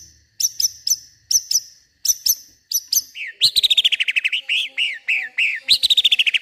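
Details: White-rumped shama at night in an agitated mood, running through isian imitations: paired sharp high clicks repeated several times, then a quick series of rich, warbled downslurred notes at mid-high pitch.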